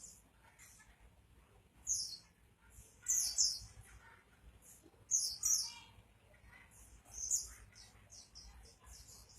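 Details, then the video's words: Oriental white-eye singing energetically (gacor): very high, thin twittering bursts of rapid chirps, each lasting under a second, coming roughly every one to two seconds over a low background hum. "burung pleci gacor"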